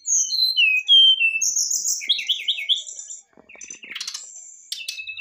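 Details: Varied fluting song of a Brown-chested jungle flycatcher used as a lure for birds reluctant to sing: clear whistled notes stepping downward, then quick trilled phrases and thin high buzzy strokes near the end.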